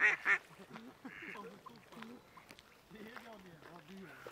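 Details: Ruddy shelduck (Tadorna ferruginea) at Zbilje lake, 20 January 2024: two loud, nasal, honking calls in quick succession, then quieter low murmuring like people talking nearby.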